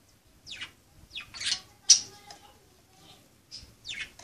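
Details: Budgerigars playing: loud, harsh descending chirps and squawks in quick bursts, about five calls in four seconds, clean background.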